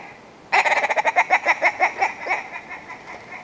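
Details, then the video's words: Willow ptarmigan giving a rapid, nasal, croaking rattle of about twenty notes that run fast, then slow and fade, over a faint steady background tone. "Willow Ptarmigan - Song & Call"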